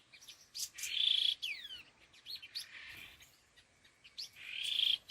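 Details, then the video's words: Khứu lùn laughingthrush giving "gọi đằng" calls: two loud harsh, rasping bursts, with quick downward-slurred notes and short chirps between them. "Âm Thanh Chim Khứu Lùn Đôi Hung Gọi Đằng"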